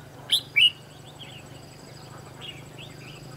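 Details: Red-whiskered bulbul serving as a trapping decoy, with two quick loud whistled notes followed by softer twittering, all over a low humming background.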